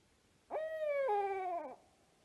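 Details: Barred owl alarm call late at night in the Oregon wilderness: one drawn-out, hoarse hooting wail lasting just over a second, holding level, then dropping in two steps to a lower, fading finish.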